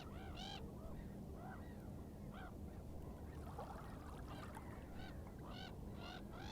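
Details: Common eider: several soft, arched, rising-and-falling cooing calls at irregular intervals, over a loud, constant low roar of wind or surf.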